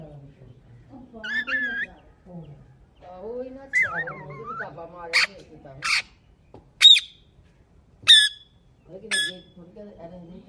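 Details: Pet Mithu parrot, an Indian ringneck, mixing wavering nasal talk-like sounds with abrupt shrill squawks about once a second, alongside a person's quiet speech.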